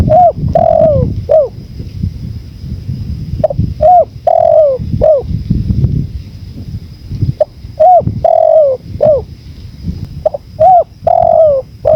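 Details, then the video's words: Repeated mellow coos from a spotted dove, short notes and longer slurred ones in irregular phrases, against continuous low wind rumble and a thin steady high tone. "MASTERAN TEKUKUR"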